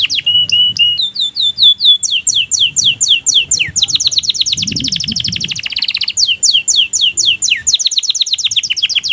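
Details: Song of a canary in breeding condition: a continuous run of rapid, high, repeated downslurred notes changing into quicker rolling trills and back, sung without pause throughout.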